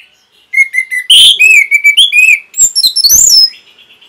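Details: Caged orange-headed thrush training song: a rapid varied phrase of short repeated whistled notes, buzzy high trills and downslurred whistles, with mimic-like chips near the end, loud and clean.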